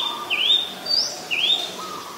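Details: Oriental magpie-robin in Ubon Ratchathani, Thailand, 7 January 2021, Nikon P1000 recording. Three clear whistles, each a sliding upward sweep, spaced about half a second apart over a quiet background.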